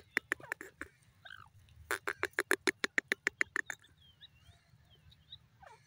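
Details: Grey francolin (Irani teetar) calling: a rapid series of loud, strident, evenly spaced notes that builds in strength and then stops, followed by soft whistled notes from other birds.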